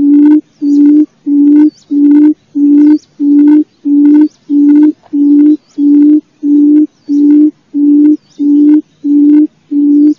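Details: Quail decoy call used for luring birds: a long, very regular run of fourteen deep booming coos, each note steady in pitch, repeated roughly every 0.7 seconds without a break.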